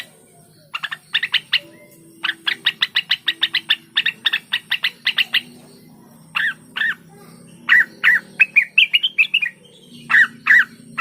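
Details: Cucak wilis song: rapid bursts of crisp repeated chirps in runs, then paired slurred whistles and rising notes, with short gaps between phrases; faint low hum underneath.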